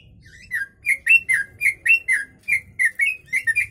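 A Yellow-vented Bulbul sings a run of short, bubbly chirped notes, about three per second, laced with phrases borrowed from the Sooty-headed Bulbul; faint low rumble behind.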